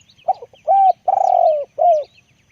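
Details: A spotted dove kept as a decoy, deep-voiced, sings one phrase: a soft stutter, an arched coo, a long wavering croo sliding down, and a closing arched coo. Light chirping of other birds is in the background.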